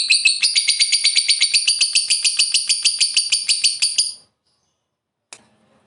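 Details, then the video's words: Long 'ngekek' chatter from a lovebird, played to coax other lovebirds into singing: a steady run of harsh, high, rasping notes about two per second for four seconds, then silence and one brief click. "Suara Burung Lovebird"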